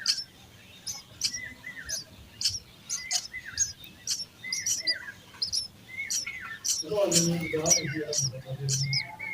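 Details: Sparrow babies in a nest being fed, a fast run of sharp, high chirps mixed with short slurred mid-pitched notes, turning busier and louder near the end with a low rumbling underneath.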